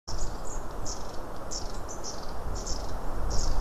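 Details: Long-tailed tits calling near the recorder on 24 January 2017: short, thin, very high notes in small bursts, spaced irregularly about every half second, over a constant deep rumble of wind or background noise.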